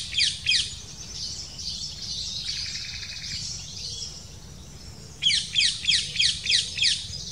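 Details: Black kite nest as the female brings a small prey item and feeds her chicks: short bursts of high, falling chirps at the start and end, steady rapid series near the close, a quieter buzzy stretch between.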